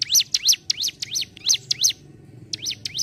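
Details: Ciblek gunung (mountain prinia) singing in the lively 'gacor ngentrok' style: fast runs of sharp, high, chirping notes that sweep down then up, about six per second, a short pause, then another burst. A faint low hum sits underneath.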